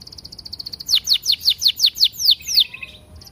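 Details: Canary lure song for prompting other canaries: a soft, quick high trill breaks into loud downward-sliding whistles repeated about four per second, fading to a brief buzzy note.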